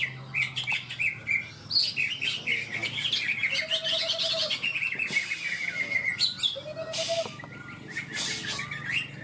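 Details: Cucak ijo (greater green leafbirds) in a songbird contest at Ronggolawe, Malinau, North Kalimantan; overlapping clear whistled notes, trills and long falling slurs from several caged birds, with bursts of noisy rasping and a steady low hum beneath.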